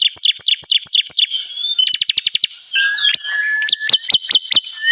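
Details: Bar-winged prinia, trapping lure: quick high chirps slide into a fast buzzy trill, then a flat whistle with sharp upward-flicked notes about twice a second.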